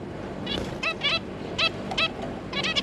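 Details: Pair of zebra finches with three juveniles, producing a handful of short, harmonically rich nasal calls in small clusters, over a faint continuous background hum.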